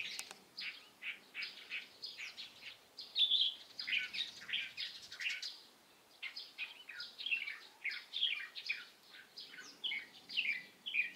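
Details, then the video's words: Light-vented bulbul recorded on 16 April 2023, giving a dense, nearly continuous run of sharp chirping and chattering notes, mostly in the upper-middle register, with brief pauses around four and six seconds. "검은이마 직박구리"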